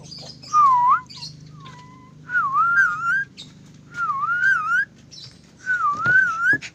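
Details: Clever pet lorikeet whistling: four loud, clear whistled phrases, each a wavering up-and-down tune lasting about half a second to a second, separated by short pauses, over a low steady hum.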